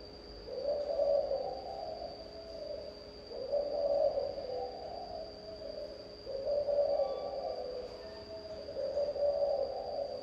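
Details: Spotted dove with a regional-accent cooing song: soft low hollow coos in phrases roughly every three seconds, over a steady electronic hum and faint background hiss.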